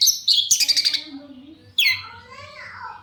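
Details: Shrike lure song to make others answer: a harsh buzzy rattle, then a squealing note sliding downward into a drawn-out descending whine.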